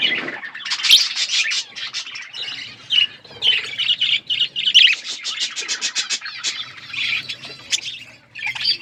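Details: Budgerigars eating food give steady, high, buzzy chirps and warbled notes in rapid, uneven bursts, a continuous excited chatter with brief pauses between phrases.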